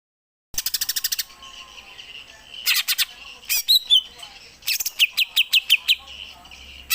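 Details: Greater green leafbird kept at home, singing song variations including the Gereja Tarung style. Rapid, buzzy rattling bursts give way to a steady high hiss, then further rattles and quick, sharp whistled notes.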